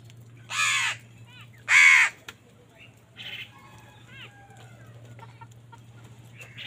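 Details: Crows fighting for food: two loud, harsh, drawn-out caws in quick succession early on, then fainter, scattered calls and a low steady hum beneath.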